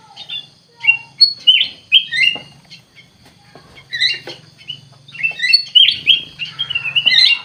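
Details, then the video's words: Kutilang emas bulbul singing in scattered bursts: sharp chirps and downslurred whistles separated by short gaps, building to a dense chattering phrase at the end, with a low hum underneath. "KUTILANG EMAS GACOR COR COR"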